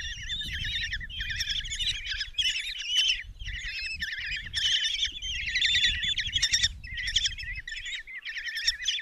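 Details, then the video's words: Common kestrel babies, five in a Hungarian nest box at Tiszalök, clamour for a mouse brought by the mother on June 27, 2024; continuous overlapping warbling, trilled calls in uneven bursts, with muffled low movement noise. "Common Kestrels | Mom brings mouse in breakfast for five babies"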